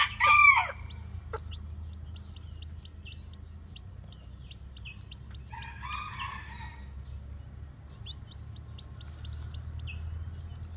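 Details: Newly hatched white bantam chicks with black tails walking about, giving a steady series of thin, high, downslurred peeps; a loud harsh squawk opens the recording and a brief crowing phrase sounds midway, over a low hum.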